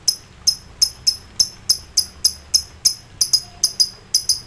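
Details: Lovebird, described as highly excited and calling rivals with ngekek song, gives a steady run of short, bright, piercing chirps about three per second, some doubled, over a faint low hum.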